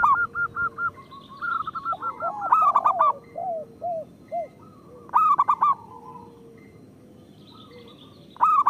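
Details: Several local zebra doves cooing, recorded to spur quiet doves into song: strings of clipped coos, descending soft notes and loud rippling bursts recurring every two to three seconds.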